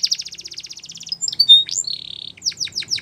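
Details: Canary song: fast rattling trill of repeated high notes, then a few clear whistled slurs and a buzzy held note, ending in sharp descending chips.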